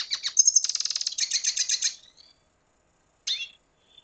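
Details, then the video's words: Red siskin of Venezuela delivering a rapid string of high twittering notes for about two seconds. After a pause comes a single drawn, slightly descending whistle, then a faint final note. "Canto Cardenalito Venezuela"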